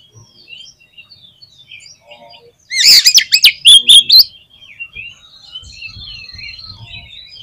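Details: Energetic Oriental magpie-robin song: after quiet faint twitters, a sudden loud run of sharp rising whistles and chattering notes for about a second and a half, then soft background chirping.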